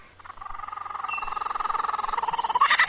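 Superb lyrebird imitating a kookaburra's laugh: a rapid run of throaty, pulsed notes that grows louder and quicker, ending in higher chuckles.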